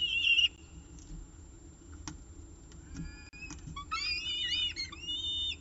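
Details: Peregrine falcon nest on a nestcam during the evening meal, 18 October 2018 at 6:51 pm; a short cry, then near quiet with faint clicks, then a lively stretch of high, twisting, wavering calls.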